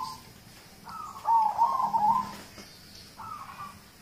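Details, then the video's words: Local zebra dove song meant to set other birds singing: a rolling, trilled coo phrase lasting about a second and a half, followed by a softer, shorter coo near the end. "Audio terapi perkutut lokal untuk pancingan"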